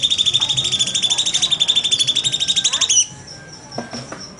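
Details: Rapid-fire 'nembak' song of a cucak cungkok bulbul, a master track for training songbirds: a dense, high, evenly pulsed trill lasting about three seconds, ending abruptly with faint background sounds.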